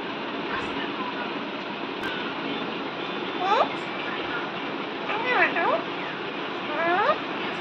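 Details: A talking pet Alexandrine parakeet utters three short, speech-like phrases, seemingly "mitthu beta", with rising and falling inflection. The phrases are spaced a second or two apart over a steady background hiss.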